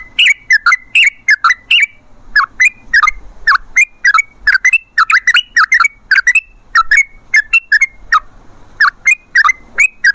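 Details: Trucukan (yellow-vented bulbul) calling in 'gacor' fashion as a lure for wild birds: repeated bouts of chattering, gurgling whistles, each bout a handful of quick notes, separated by short gaps over a faint hiss.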